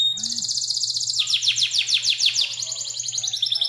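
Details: Canary singing in the Indonesian 'gacor' style with long rolling phrases. A dense, fast, high-pitched trill of sharp descending notes runs without pause, with a steady low electrical hum behind it.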